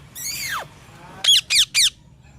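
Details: Parrot chirping: one harmonic note sweeping downward, then three short, harsh chirps in quick succession.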